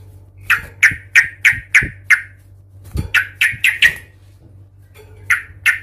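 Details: An agitated sooty-headed bulbul giving aggressive fighting calls meant to goad rival bulbuls. Sharp, harsh notes come in quick groups of five or six, separated by short pauses, over a steady low electrical hum.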